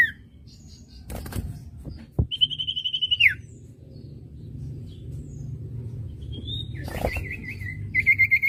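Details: Training recording of common iora song: a long steady high whistle that drops sharply at the end, later a quick series of rising whistled notes, with clicks and low rumble between.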